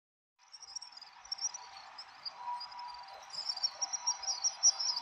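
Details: A flock of house swifts flies at dusk over central Tokyo (Surugadai) on 13–14 December 2023 before going to roost. Their steady chorus of high, shrill, trilling screams swells and fades as the flock passes, over a low hum.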